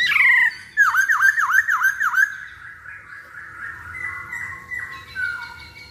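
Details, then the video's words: Masked laughingthrush song played as a lure to prompt other birds to sing: a sharp opening squawk, then five rapid dipping whistled notes in a quick run, trailing off into softer sustained warbling. "Pancingan Poksay Hongkong Paling Ampuh"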